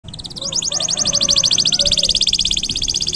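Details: Canary song in a long, energetic performance used as master training audio for young songbirds: a rapid, even trill of bright high notes, roughly two hundred per minute, sustained throughout with a faint low hum beneath.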